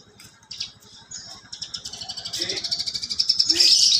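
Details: Caged Horsfield's bush lark of the parva form singing energetically with sparrow- and canary-like phrases: faint chirps at first, then from mid-clip a fast, rising run of high buzzy trills, repeated rapidly over a low, steady pulsing hum.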